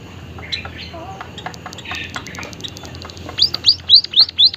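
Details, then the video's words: White-headed munia (Lonchura maja), known locally as emprit haji, calling actively with an unusual voice: soft scattered ticks, then a quick run of five high, thin, arched notes at about four per second. "emprit kaji haji gacor suara aneh"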